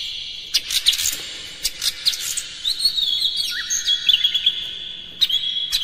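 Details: Oriental magpie-robin song played to provoke rival magpie-robins: a steady high whistled tone with rapid chirps and twittering laid over it, plus a quick downward slurred note, busy throughout.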